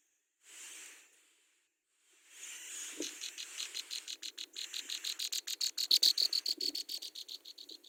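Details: Hungry Brown prinia chicks begging as their mother feeds them at the nest: a quick run of high, thin chips that speeds up and grows louder, several per second, over faint low rustling.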